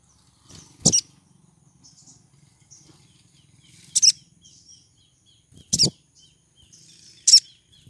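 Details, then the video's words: Female pied triller, in breeding condition, calling to draw in a male: four sharp, high chirps at irregular intervals of about one to three seconds, some with low thumps, over a faint steady hum. "PANGGILAN SOGON BETINA BIRAHI MEMIKAT SOGON JANTAN"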